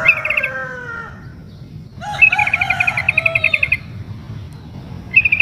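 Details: Female sooty-headed bulbul calling to attract a male during breeding condition: a long, fast bubbly trill with descending slurred notes beneath, then a brief trilled burst at the end.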